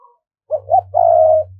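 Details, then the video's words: Decoy spotted dove from Dong Nai, Vietnam, cooing to draw wild doves near: two short rounded coos, then one long steady drawn-out note, with a low hum underneath. "Tiếng Chim Cu Gáy Đồng Nai Thúc Bổi Nhanh Về Cội"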